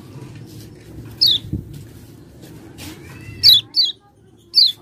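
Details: Common iora lure for triggering song: a few high, sharp, falling whistles, two coming close together near the end, over quiet background hum.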